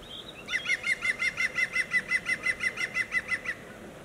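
A European green woodpecker gives its loud laughing yaffle, a fast, even run of about seventeen ringing notes lasting three seconds, over quiet background hiss.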